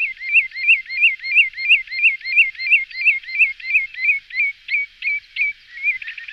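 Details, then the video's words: Common redshank calls used as a lure: a long, very regular series of ringing downslurred whistled notes, nearly three a second, loud and clean, fading slightly toward the end. "Chamariz, Señuelo, Perna Vermelha Comum, Tringa Totanus, Archibebe Comun"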